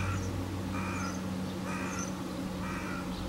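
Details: Early-morning crow giving four harsh, raspy caws spaced almost a second apart, each one short and even, against a steady low droning hum in the background.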